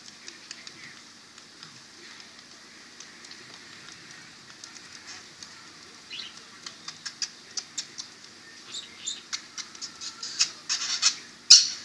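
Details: A pet budgerigar (parakeet) being talked to and kissed gives soft, scratchy chatter mixed with quick clicks and kiss-like smacks, growing busier over the last half and ending in a sharp burst.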